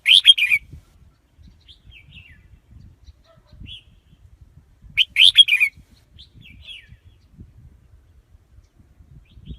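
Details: Red-whiskered bulbul lure song for catching wild birds: a loud chattering warble opens, another comes about five seconds later, each a quick cluster of bright notes, with a few soft whistles between.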